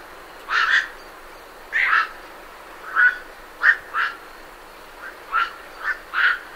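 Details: Night herons calling while leaving the roost, at medium close range: about ten hoarse, barking croaks, some doubled, spread unevenly across several seconds.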